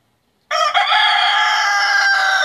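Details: A rooster crows loudly, described as having a very high, lively voice: after half a second of silence comes one long, sustained, strongly harmonic crow lasting two seconds.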